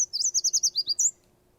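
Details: A Yellow Warbler sings a quick run of about seven bright, high, sweet notes, 'sweet, sweet, sweet, I'm so sweet', dropping slightly and then ending on a higher clipped flourish; nothing else is heard.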